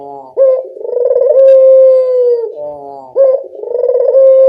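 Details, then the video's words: Local Barbary dove lure call: one long coo with a throbbing start and an extended steady tone that slides down, followed by the opening of the next phrase. "Suara pancingan burung puter lokal sangat mudah nyaut"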